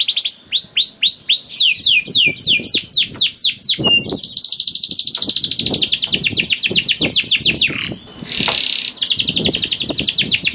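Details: Canary in full, non-stop song with long 'ngerek' rolling trills, used as a lure to make other canaries sing: rapid series of high upswept whistled notes, then dense buzzy trills and rattles, loud and continuous with barely a pause.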